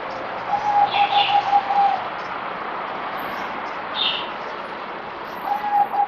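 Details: A captive zebra dove on its fourth day of deworming, 17 April 2020, gives soft, rapid staccato cooing notes in short runs with pauses between phrases; brief high chirps from another bird and steady hiss behind.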